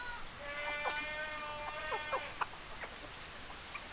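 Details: Domestic chickens: one long, steady, tonal call held for over a second, overlapped by sharp quick clucks that quicken and then fade; light background noise.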